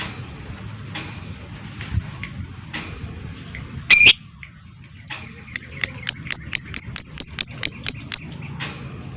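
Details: Lovebird ngetik song played to prompt singing and breeding: soft chirps, one loud harsh squawk, then about twelve clipped, high, evenly timed ticks in quick succession.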